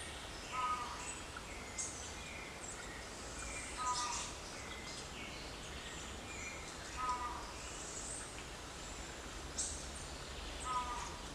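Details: A Keel-billed Motmot in Costa Rica gives short, low, nasal double notes about every three seconds, over a steady hiss of forest insects and background noise.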